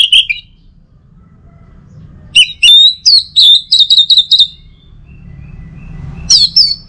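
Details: Orange-headed thrush singing, a morning recording meant to stimulate other birds: a short whistle, a pause, then a rapid run of bright chirped and whistled notes, and a final high slurred phrase over a faint low hum.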